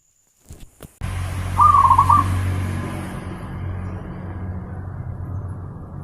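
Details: Zebra dove singing on a master recording meant for training pet birds: after a couple of clicks, a single quick phrase of rolling, pulsed cooing notes sounds over a steady low hum.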